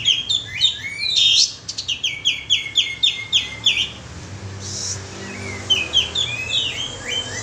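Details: Kapas tembak bulbul giving a lure call: bright chirps and then a steady string of clipped, falling notes, a short pause, and a softer chirping run at the end.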